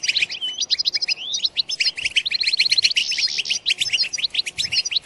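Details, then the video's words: Goldfinch twittering song for stimulating goldfinches to sing and mate, with rapid, liquid chirps, short rising whistles and a brief trill, nearly unbroken over five seconds. "بتبتة تجنن الحسون وتفقده العقل بتبتات خرافية في تحفيز الحسون على التغريد بتبتة تخرج حسونك عن السيطرة"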